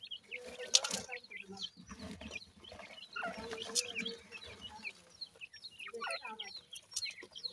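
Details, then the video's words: Francolin (teetar) chicks call in a scattered, overlapping chorus of high, brief chirps and squeaks. Louder bursts come near the start and middle, over a low background murmur. "Teetar Chicks Khurak, Baby Pheasant Calling Guide"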